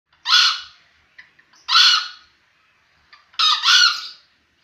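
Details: A 7-month-old green junglefowl crowing: three short, hoarse, screechy crows, each under a second long and spaced about a second and a half apart, with faint clicks between them.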